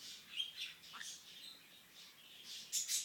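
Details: Pet green-cheeked conure making kissy sounds indoors: soft, high squeaks and chirps, a short rising squeak near the middle, then brighter sharp chirps at the end, quiet overall.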